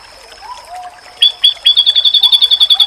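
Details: Faint low whistles, then an oriental white-eye breaks in with two sharp chips and a quick, even high trill, in a masteran said to make other white-eyes answer.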